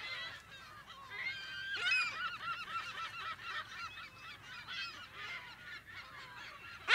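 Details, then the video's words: Many California gulls in their colony, heard close to medium distance in mono, produce a steady wash of nasal, rising-and-falling cries, with a brief loud burst at the very end. "California Gull / CU - MP Calls In Colony"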